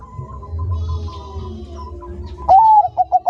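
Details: Bangkok zebra dove song from a recording meant to get kept doves singing: after a quiet stretch of low hum, a single upslurred whistled coo breaks in, followed by a few short, evenly spaced pulsed coos.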